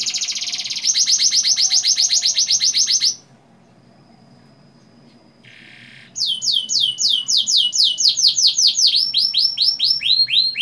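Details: Canary song used as a lure to get young canaries singing, with long rolls: a loud, very fast buzzy trill of rising notes, a pause with faint noise, then quick repeated down-slurred whistles and sharp chips.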